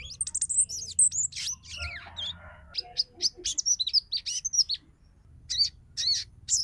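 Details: Female sogon chattering to call a male, meant to rouse males into song and breeding condition; dense run of high, sharp, twittering notes with a short harsh rasp, a brief pause, then renewed chirping.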